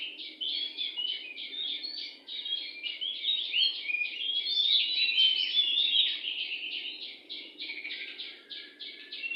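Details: Oriental magpie-robin, wild, singing near a house: a long, energetic run of bright warbles and slurred whistles that ends in an evenly spaced series of repeated chirping notes.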